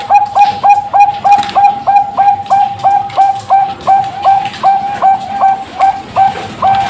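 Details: A farm-bred zebra dove hatched 24 September 2023 coos in a brisk run of short, mellow, ringing notes, about three each second at a steady mid pitch, with only faint background hiss.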